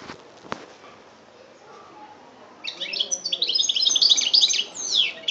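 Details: European goldfinch recorded in Algeria in 2013; after about two and a half seconds of near quiet with a few soft knocks, a fast twittering song of high, tinkling, jumbled notes and short trills begins and runs to the end.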